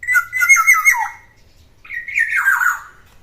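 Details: Black-naped oriole aged ten years, still in full voice, delivers two rasping, wavering squawk phrases that slide downward, separated by a short silence.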